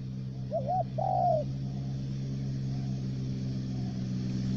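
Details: Three-note spotted dove kept as a trapping decoy in Khanh Hoa commune, U Minh, Ca Mau. A single two-part coo, a brief wavy note then a longer falling tone, is followed by quiet. A low droning hum continues throughout.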